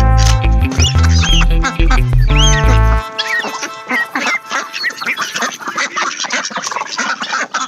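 Ducklings peep in rapid, high chirps that overlap constantly, with background music for the first three seconds.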